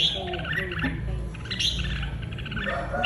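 Red-whiskered bulbul singing excitedly in quick bursts of bright, chirpy phrases, over a steady low hum and faint background voices.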